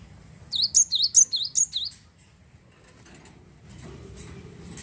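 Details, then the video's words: Wingko Java sparrow in full song, meant to prompt other birds to sing: a short run of five quick, high, bouncing chirps, then quiet with soft background noise and faint clicks. "glatik wingko gacor mampu merangsang burung glatik anda jadi bunyi"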